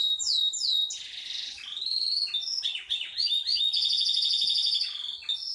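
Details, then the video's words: Yorkshire canary song in a long roll: high chattering notes flow into smooth even trills, a short burst of varied swooping notes, then a bright rapid trill held to the end. "Kenari yrokshire ngerol nggulung panjaaaaang banget"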